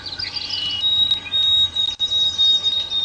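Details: White-throated Sparrow, an early spring migrant passing through Toronto that visits feeders and nests far north in the boreal forest, sings long, clear, high whistled notes held at a steady pitch over a hiss of background noise.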